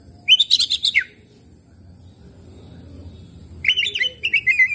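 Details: Oriental magpie-robin song played to prompt stressed, quiet birds to sing. Two bursts of rapid, rich whistled and chattering notes, each lasting about a second, separated by a quiet pause of roughly two and a half seconds, over a steady faint high hiss.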